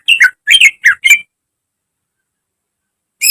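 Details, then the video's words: Training song of a greater green leafbird, used as a model for caged birds. Four quick harsh, chattering notes with downward-slurred whistles run back to back, then long silence and one clipped note at the end. "Masteran cucak ijo agar cepat rajin bunyi~gacor setiap hari"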